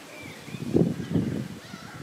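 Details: Canada goose during egg laying on the South Pond in Midhurst, West Sussex, England: two low, rough honking bursts close together, then a softer third, with faint thin calls of small birds in the background.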